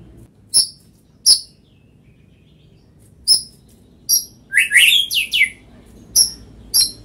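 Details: White-rumped shama giving sharp, high clicking notes spaced about a second apart, then a brief rapid burst of rising, slurred whistles near the end, over a quiet indoor background.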